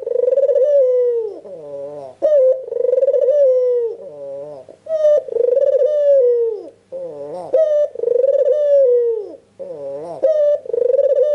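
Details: An albino, red-eyed white Barbary dove in full song gives rolling, throaty coos, each a long purring note falling away, every two to three seconds with quieter gurgles between; used as a lure for lazy doves.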